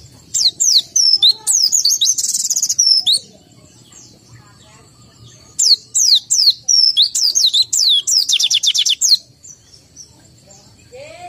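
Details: Pleci or white-eye, a kept bird said to be under-conditioned for breeding; two long bursts of quick, high, downward-sweeping whistled notes and twitters with a quiet gap between them.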